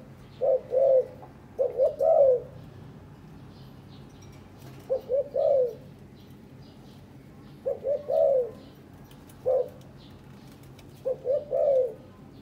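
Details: Spotted dove in a breeding pair kept caged, preening each other and building a nest; irregular soft coo phrases, some of three notes, one single, spaced two to three seconds apart, with scattered clicks.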